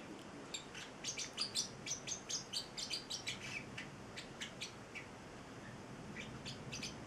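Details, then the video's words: An 8-week-old male Celestial parrotlet kept as a pet, singing a jumble of quick, high chirps and short tweets over a steady background hiss, with the chirping thinning out toward the end. "the Singing Parrotlet"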